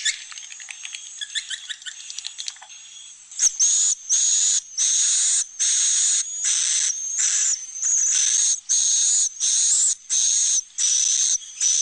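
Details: Swiftlet roosting-room sound, mixing chicks and adults, used to make swiftlets feel safe in a nesting house: high, hissing chirps with a thin whistle on top, a brief twitter, then chirps repeating steadily, more than one a second.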